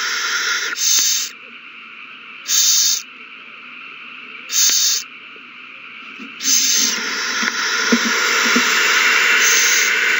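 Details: Owls at a nest during a frenzy after one finds a mouse and hands it to another, recorded 21 March 2020: harsh, breathy hissing bursts about half a second long, repeated roughly every two seconds, then turning into continuous hissing.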